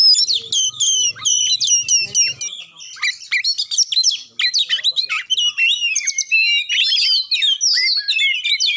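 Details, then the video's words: A magpie-robin sings vigorously, its song played to stir a reluctant bird into singing. Rapid whistled and chattering phrases pour out almost without a break. A faint low murmur sits under the first two seconds. "Cukup Satu Menit Kacer Susah Bunyi Dijamin Langsung Ngamuk Dengar Suara Kacer Satu Ini"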